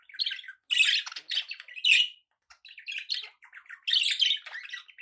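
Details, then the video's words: Several pet budgerigars chirping in a busy, overlapping chatter: scratchy squawks and warbled twitters in quick bursts, broken by short pauses, with no other sounds. "relaxing budgie sounds"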